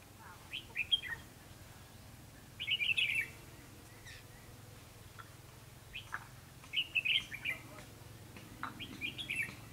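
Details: Red-whiskered bulbul used as a lure in trapping, singing a fighting song; short bursts of warbled, chattering notes come every few seconds over a low steady hum and background noise.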